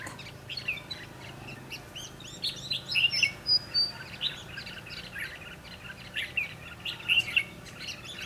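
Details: Red-whiskered bulbuls in a trapping session on 22 December 2015. Clear whistled phrases and sharp chirps come in bursts every second or so, with light background noise.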